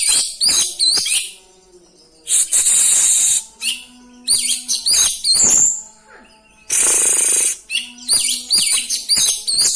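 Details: Oriental magpie-robin in rolling song, delivering isian fill-in phrases to provoke other magpie-robins: loud bursts of harsh, hissing rasps alternate with quick high chirps and short whistled notes, with brief quiet pauses between.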